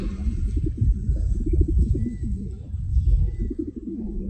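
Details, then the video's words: Pigeons give a dense run of deep, throaty coos, several birds overlapping in bubbling, rolling phrases, over a constant low rumble. "Pigeon Sound"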